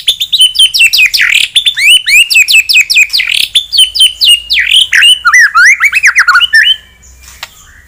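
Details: A white-rumped shama in full song to provoke an opponent delivers a nonstop torrent of loud, rapidly alternating whistles and slurred notes, then falls quiet for the final second.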